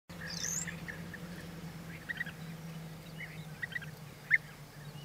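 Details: European bee-eater (Merops apiaster), call.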